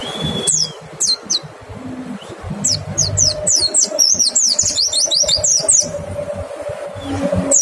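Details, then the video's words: Lure song of a white-eye meant to draw other white-eyes into song: scattered high, thin chirps at first, building into a dense burst of rapid twittering, then fading to isolated notes over a low background hum. "Pancingan PLECI BIKIN IKUT NEMBAK, suara jernih bikin respon PLECI LAIN BUKA PARUH"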